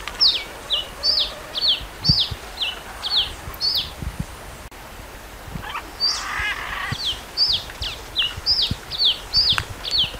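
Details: Red-capped cardinal singing a long series of high, sharply downslurred whistled notes, about two per second, pausing briefly midway before a short burst of lower rough sound, then resuming the same even phrase.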